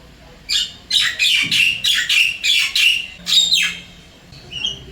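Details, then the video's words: Wild Javan myna in Singapore calling its partner from an apartment: a rapid string of harsh, rasping squawks with an uneven rhythm, ending in a softer whistled note. "Kicauan Jalak Kebo liar di Singapura"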